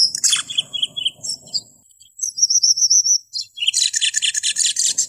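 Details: Cucak keling in full song, played to train caged birds and attract wild ones: rapid scratchy bursts, a pair of high whistled lines, then a dense, fast chattering trill of many repeated notes.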